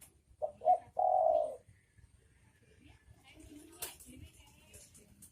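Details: A single cooing phrase from male and female spotted doves, two short notes then a long, full coo, followed by quiet background with faint scattered sounds and a brief click.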